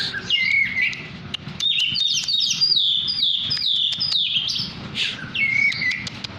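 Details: Tame kacer poci (Oriental magpie-robin) singing actively: a run of bright whistled phrases with sliding, falling notes, each phrase quickly repeated with slight variation, over a low steady background rumble and a few sharp clicks.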